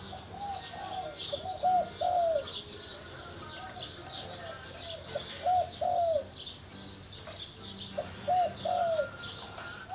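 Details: Spotted dove recorded live, giving repeated phrases of soft, low coos, three phrases spaced a few seconds apart, with constant background hiss and faint high chirping.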